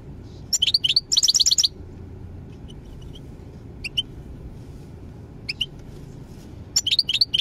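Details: European goldfinch singing in quick high twittering phrases, a dense liquid burst near the start then sparse chirps and a final run of tinkling notes, against constant low-pitched background hum.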